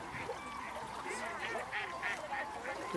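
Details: Mallard in Israel: short, rasping nasal calls repeated in quick succession, faint against a steady background hiss.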